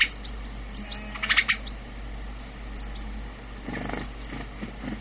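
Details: House sparrow (Passer domesticus) giving short bursts of harsh, bright chirps, one cluster early and another a few seconds later, over a steady low hum.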